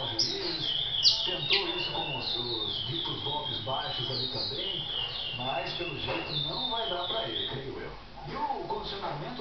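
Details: Brown-plumaged great-billed seed finch singing: rapid, slurred whistled and warbled phrases, repeated notes running fast and fairly steadily for about eight seconds, with a low hum and some lower-pitched background sounds beneath.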